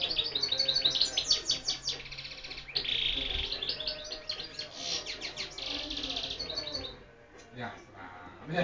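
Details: A beautiful-voiced European goldfinch sings nonstop for several seconds in rapid, tinkling trills and twitters with a buzzy rasp mixed in, then falls quiet with a few scattered notes.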